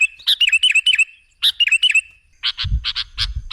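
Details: Sooty-headed bulbul song played as a lure to draw other birds, loud bright chirped notes in quick clusters with short bubbly whistles, followed by sharp clipped chirps over low thumping knocks.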